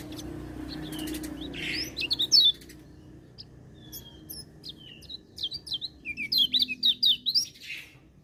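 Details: Lemon-bellied white-eye singing while other birds join in. Scattered thin high chirps build into repeated quick, slurred twitters in short phrases, over a faint low hum.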